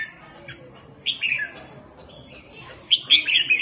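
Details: Red-whiskered bulbul (Pycnonotus jocosus) in competition singing gives two bursts of bright, liquid chirping phrases, the second louder and more excited, over a faint steady hiss.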